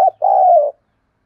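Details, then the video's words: Spotted dove coo meant to stir wild doves and decoys to answer and fight: a clipped note followed by one drawn-out, slightly falling hooting coo, then silence. "Tiếng chim cu gáy thúc đấu cực đỉnh mở lên bổi và mồi gáy theo xuất ngày"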